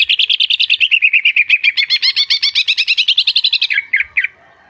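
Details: Greater green leafbird singing a long, unbroken run of quick, bright whistled notes that rise and fall slightly in pitch, closing with a few lower, slurred notes.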